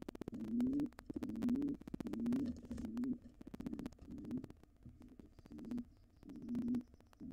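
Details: Wild pigeon pair intruding at a nest box after the resident pair's young fledged, giving low throaty coos in repeated rolling phrases that fade and become quieter toward the end, with scratchy knocks and shuffling in the box.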